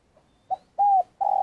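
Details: Spotted dove used as a lure bird in Vietnam: a brief note and a level hoot, then the start of a long coo, cut off mid-phrase.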